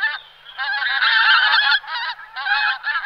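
Pink-footed Goose giving harsh, nasal honking calls in quick overlapping bursts, several birds calling together with barely a pause.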